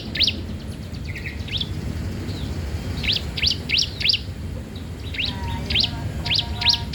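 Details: Bar-winged prinia song used to train or lure other birds: scattered groups of sharp, steeply sweeping high chirps over constant low background rumble.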